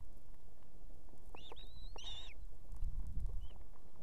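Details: At evening on a nest in Estonia, the female osprey, with two chicks, calls for the male to deliver food: a quick cluster of three or four whistled, down-curving chirps, then one faint note, over low rumble.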